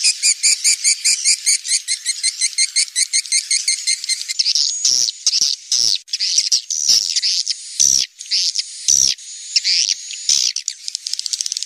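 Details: Swiftlets recorded in a cave, Indonesia: dense high chirping calls, first a fast regular series of short twittering notes, then longer buzzy overlapping chatter with sharp clicks, many birds calling together.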